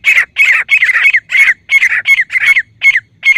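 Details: Female grey francolin voice used as a hunting call: harsh, scratchy, squawking phrases repeated in quick succession. The phrases shorten toward the end, with brief gaps between the later notes.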